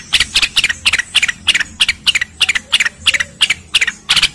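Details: Training song of a cucak rengganis, meant for other birds to copy: steady, closely spaced high chirps in a lively rhythm, with a soft low background hum.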